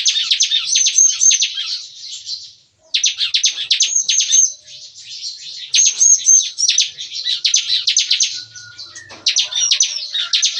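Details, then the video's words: Captive bar-winged prinias in a breeding aviary singing in the morning. The busy song style is called "nembak-nembak", like shooting. Fast bursts of sharp, high chattering notes come in volleys with brief pauses between them. "Nembak-nembak! Kicauan CiKris Pagi Hari"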